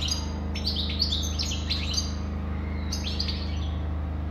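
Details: European goldfinch singing in two bursts of quick, liquid twittering and tinkling notes, a short pause between them, over a steady low hum.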